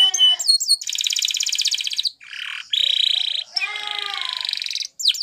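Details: Spanish Timbrado canary training song made of long, dense, buzzy rolling trills broken by short pauses, with a few whistled sweeps at the start and end.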